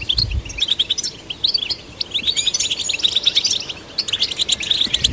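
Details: European goldfinch song to stimulate goldfinches: a soft thud at the start, then bursts of quick silvery twitters and trills separated by very short gaps.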